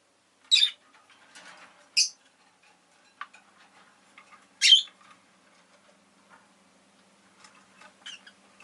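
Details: Agapornis roseicollis, the rosy-faced lovebird, giving three loud, shrill squawking chirps spaced a few seconds apart, with softer chatter and quiet clicks between.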